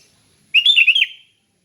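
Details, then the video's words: Sooty-headed bulbul singing in the relaxed ngeplong style, used to train other bulbuls to sing: one bubbly, whistled phrase of quick warbling notes lasting under a second, then silence. "Kicau Kutilang Ngeplong Santai"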